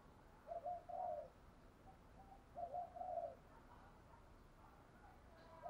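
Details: Faint, low cooing from a decoy spotted dove over a steady background hiss, with two paired phrases of short and drawn-out mellow notes and a few weaker notes after them.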